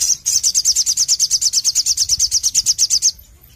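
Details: Crimson Sunbird (Sogon) singing vigorously, 'nembak nglaper' style: one unbroken, very high, metallic trill of evenly spaced sharp notes, roughly three per second, running nearly three seconds before stopping abruptly.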